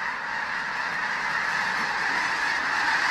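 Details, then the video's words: Spooked flock of more than 20,000 snow geese taking off from a field at a refuge and flying low: dense overlapping honks merging into a constant roaring chorus, slightly rising in volume. "20,000 snow geese attacking photographer in flying frenzy."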